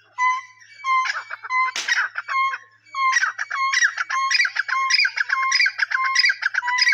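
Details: Francolin calling: a few clear whistled notes and a harsh noisy burst, then a fast, continuous, rasping sequence of repeated phrases, each beginning with a steady tone and ending in chattering clucks.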